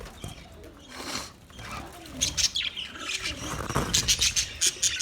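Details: Budgies calling on 29 February 2024, quiet at first, then rapid bright chirps and twittering that build into a quick repeated chatter toward the end.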